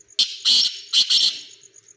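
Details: Black pheasant kept as a hobby, uttering two pairs of loud, grating, hoarse bursts, each pair a short note then a longer one, above a faint steady high whine.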